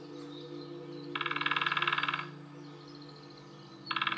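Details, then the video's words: Female Lesser Spotted Woodpecker drumming in woodland in Nottinghamshire, UK, one of a calling and drumming pair: a rapid, even roll of knocks lasting about a second, then another roll starting, over a steady low hum. "Lesser Spotted Woodpecker drumming in the UK (female)"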